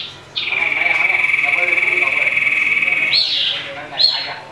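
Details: Agitated common iora in a fight with a rival, used as a lure. It gives a sustained buzzy trill of rapid pulses lasting almost three seconds, then two short higher upslurred notes.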